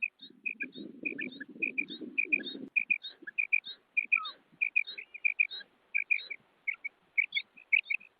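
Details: Female quail (batair) call, a rapid run of brief chirpy notes interleaved with faint higher slurred notes, accompanied by low rumbling noise during the first three seconds before the calls continue alone.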